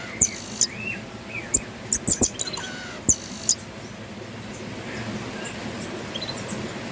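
Pin-tailed parrotfinch giving high, thin ticks and sharp clicks in an irregular burst over three seconds, with faint rising whistles and a quiet background hiss.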